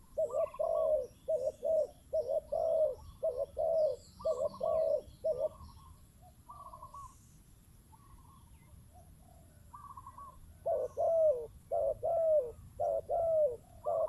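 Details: Spotted dove decoy bird cooing: a steady series of low paired coos, a near-silent gap with only soft distant notes, then another burst of rhythmic coos.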